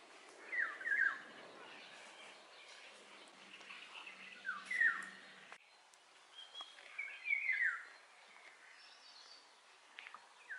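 Eurasian golden oriole giving rich, fluty whistled phrases that swoop up and down, three short bursts a few seconds apart, over faint background noise.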